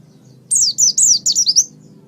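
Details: Oriental white-eye (pleci), kept as a pet bird, in a master recording for training other songbirds: one rapid burst of high, thin, down-slurred whistled notes about a second long, with a faint low hum beneath.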